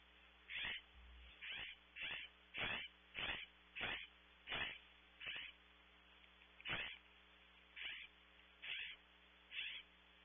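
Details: Outside a nest cavity at Audubon Starr Ranch, California, a California scrub jay gives a long run of harsh, rasping calls, about one every second or so, slightly irregular, with a constant low mechanical hum behind.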